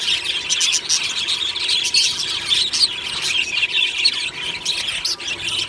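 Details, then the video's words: A colony of budgerigars chirping happily in the morning, a continuous bright chatter of quick high notes, squeaks and short squawks from many birds in an aviary. "Beautiful Budgie morning happy singing and chirping sounds"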